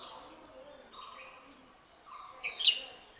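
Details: A puff-throated babbler foraging at Nandi Hills, Chikkaballapur, Karnataka, gives soft, scattered high chirps, ending in a sharper, louder chip near the end, over quiet background rustle.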